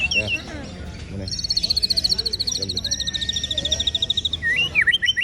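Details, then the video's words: White-rumped shama, ciung wanara style song: a long, fast, even trill of high bright notes, then a lower sustained whistle and a few looping whistles at the end, with background noise. "ocehan CIUNG WANARA murai batu anti galau😂"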